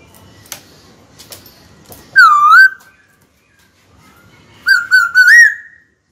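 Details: Caged white-cheeked laughingthrush singing to call a rival to fight; soft clicks and tapping first, then a loud dipping whistle and later a warbling phrase of three notes ending in a sustained tone.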